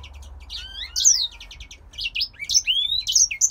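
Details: Captive male grey singer finch, bred in Poland, singing: a fast jumble of high, sweet whistled notes and chirps, with slurred rising and falling phrases and brief trills, over a faint low hum.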